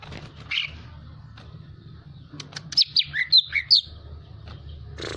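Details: Hyperactive greater green leafbird singing to provoke other birds into song: a short burst of five or six clear, high whistled notes, rising and falling, after quiet hum and faint clicks.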